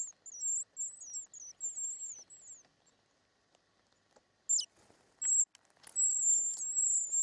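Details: Short-toed treecreeper young in the nest during feeding: a run of thin, high descending squeaks, then a pause with faint rustling, followed by brief sharp notes and a sustained high-pitched chorus of squeaking.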